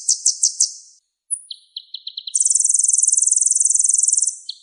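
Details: Van Hasselt's sunbird singing a full repertoire used to tutor other songbirds: four short high buzzy notes, a thin upslur, a string of quick chips, then a long rapid high trill ending in one more note.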